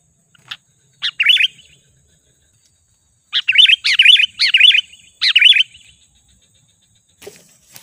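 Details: Sooty-headed bulbul calling as a lure for wild birds: separated phrases of quick, wavering high notes, each a little under half a second long, with silent gaps between the groups.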